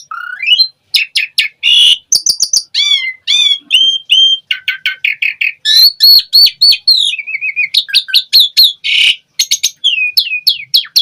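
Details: Asian pied starling delivering busy gacor song full of isian variety: rapid nonstop mix of upslurred whistles, chattered clicks, scratchy rasps and level piping notes, phrases tumbling one into the next.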